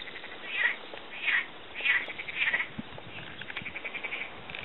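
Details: Adult male Little Crake (Porzana parva) calling in April in the Goksu Delta, Turkey: four loud, nasal, yapping 'kwek' notes about two-thirds of a second apart, then a quicker, fading series of shorter notes.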